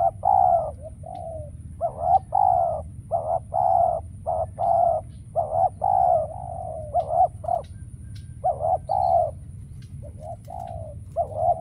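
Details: Spotted dove used as a lure while trapping wild doves, cooing continuously: many hollow low coos in uneven pairs and triplets, strongly rhythmic, with short silences between phrases.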